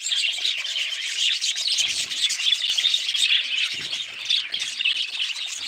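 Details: Constant budgerigar chirping and chattering, thin whistled notes mixed into a dense scratchy warble that barely pauses.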